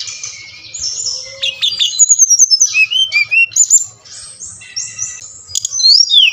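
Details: Brown-chested jungle flycatcher from Bali singing, played to make caged birds respond: dense run of high whistled notes and chips, a brief lower warble, quiet gap, then renewed varied phrases.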